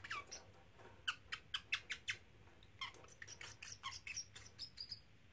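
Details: Male parrotlet, three months old and kept as a pet, vocalising between practised phrases; a quick series of sharp, high chirps and clicks, about two to three per second, over a quiet indoor hum.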